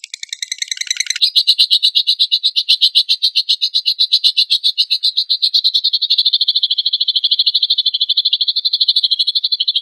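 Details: Energetic lovebird song, used as a lure to make other lovebirds sing: a brief stepped high squeaky phrase at the start, then a long unbroken run of fast, harsh, high chattering trills.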